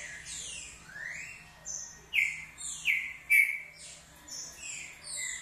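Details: Green-winged saltator, the true trinca-ferro, sings its short song: a run of loud, clear whistled phrases, sweeping and slurring up and down, several notes in quick succession with brief gaps.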